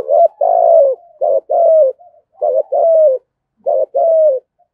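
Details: Coo of a spotted dove in the 'giọng thổ' style for luring wild birds: repeated low phrases of a short clipped note then a longer sliding coo, three phrases in under five seconds, clean and close.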